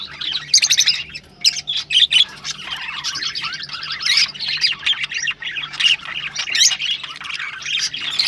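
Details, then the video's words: Rosellas chattering to stimulate mating: busy overlapping chirps and squeaky notes, with bursts of loud rapid twittering broken by short pauses throughout. "تغريد طيور الروز ( حفز طيورك )"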